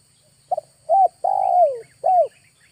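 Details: A spotted dove kept as a lure, cooing once in August. The phrase is a soft double tap, a rounded coo, a long coo that drops in pitch, and a final short coo. A low hum runs throughout.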